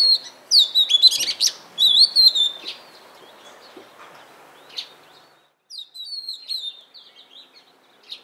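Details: Oriental magpie-robin in Punakha, Bhutan: a burst of whistled slurs and harsh chips, a pause with only faint scattered notes, then another short whistled phrase followed by a few soft chips.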